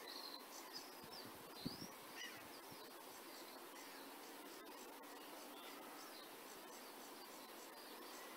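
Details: A sedge warbler sings at IMF Hide, Burton Mere Wetlands, on 8 June 2014: a faint, rapid, scratchy chatter of varied high notes and short trills, partly masked by a steady buzzing hum.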